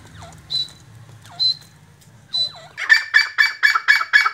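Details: Black francolin, known locally as kala or Sindhi teetar, giving a harsh, grating call of six rapid pulsed bursts near the end, after several faint, thin, downslurred notes from another bird in a quiet background.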